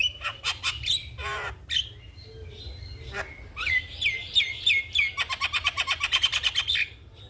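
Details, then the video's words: Javan myna in full song while nodding, intended to train young mynas; scratchy notes and whistled slurs lead into a fast rattle of about fifteen evenly spaced pulses. "Burung jalak Kebo Gacor manggut2 Pas Untuk Masteran dan Pancingan Jalak Muda"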